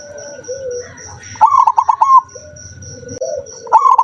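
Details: Zebra dove, noted as a rare singer, recorded 7 November 2023. It delivers a rapid string of bright, staccato cooing notes, then starts a second burst. Softer, lower coos from other doves and a steady high pulsing tone sound behind it.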